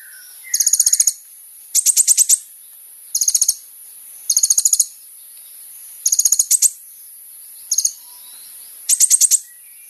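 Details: Kolibri ninja sunbird song used as a lure for other sunbirds: short bursts of very high, rapid ticking notes, each about half a second long, repeated roughly every 1.3 seconds with brief pauses between.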